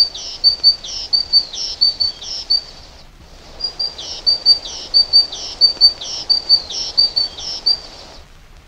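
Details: Continental great tit, a garden bird, repeating a bright, high two-note phrase, about three per second, in two bursts separated by a brief pause, over a faint low background hum.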